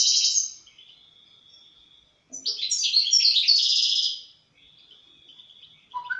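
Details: European goldfinch singing: a bright burst of twittering notes, then a thin sustained tone, a loud fast jumble of liquid trills and buzzy chatter, another drawn-out tone, and a short rising note at the end.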